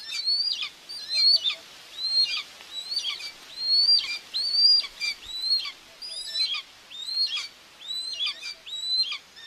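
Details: Common buzzard nest in Tiszalök, Hungary, on 2 June 2024, with a mother feeding two chicks, picked up by a live nest camera; high, thin whistles rise then drop, repeated about once a second in a steady series.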